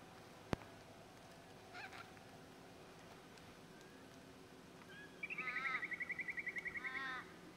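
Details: A Pink (Major Mitchell's) cockatoo, among birds feeding on Aleppo pine cones in the Mallee at Patchewollock, Victoria, gives a single quavering falsetto call of about two seconds at a steady high pitch, after a sharp click.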